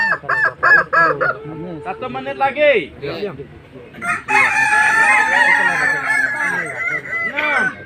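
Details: At a Kukuak Balenggek crowing contest in Alahan Panjang, a rooster crowing while sitting gives a rapid run of short stepped syllables, then a long, drawn-out, wavering note, with crowd noise and voices around it.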